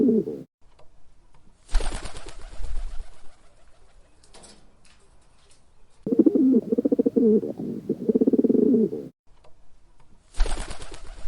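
Pigeons give deep, throaty cooing phrases that rise and fall in low, rolling bursts of a few seconds. Soft wing flutters are also heard.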